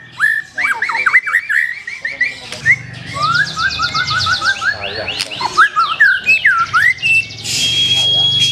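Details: Black-tailed white-rumped shama pouring out a fast, varied song of slurred whistles and twisting chirps, with high trilled notes overhead and a long steady whistle near the end.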